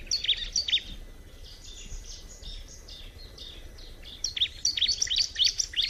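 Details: Bar-winged prinia giving two bright bursts of high, sharp chirps, first near the start and again at the end, with softer, quieter notes and a faint thin whine in between.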